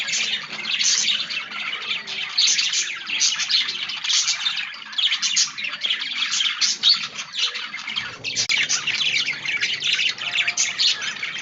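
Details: Budgies chattering together: a dense, continuous wall of high chirps, squeaks and warbles with no pauses, steady throughout.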